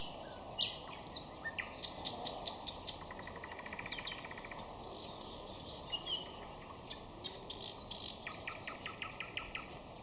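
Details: Common nightingale singing in May: rapid trains of repeated clicking notes alternating with sharp high whistles and chirps, phrases separated by short pauses, over a steady faint background hiss.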